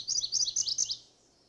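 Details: MacGillivray's Warbler song, a quick rolling series of about eight high, buzzy chips in two parts, under a second long, against a quiet background; its song is described as rising phrases, "churry churry cheery cheery."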